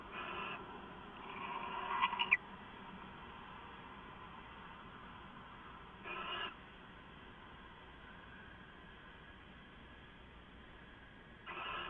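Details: Live-camera owl sounds recorded close to midnight on 2 September 2014: a longer scratchy, hissing rasp with a few sharp clicks, followed by two brief harsh bursts spaced several seconds apart over faint background noise.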